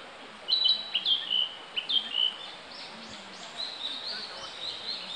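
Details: Male Narcissus Flycatcher in spring song, heard but not seen at Akagi Nature Park on 18 May 2015; a quick burst of bright two-part whistles for two seconds, then a fainter, higher rambling warble trailing off, with gentle background hiss.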